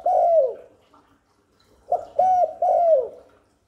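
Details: Spotted dove cooing to attract wild doves and stimulate newly kept ones: one long falling coo, a pause, then a quick three-note phrase ending in a drawn-out downslurred note.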